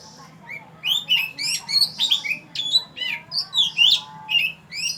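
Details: Loud, rich song of an oriental magpie-robin recorded in Falami subdistrict, Phatthalung, Thailand: a rapid, varied string of clear whistles, trills and slurred notes, roughly two or three phrases per second, over faint low hum.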